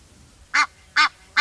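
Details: Three loud, rasping honks from an Egyptian goose, evenly spaced roughly every half second, with little else audible.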